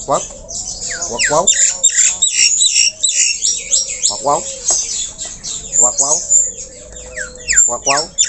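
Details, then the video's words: Javan myna (jalak kebo, white-eyed), highly vocal despite being low down, delivering dense varied song: repeated rapid rattling bursts every second or two, mixed with sharp whistles, squeaky sweeps and steady harsh chatter. "JALAK KEBO mata putih Super GACOR walaupun Di BAWAH."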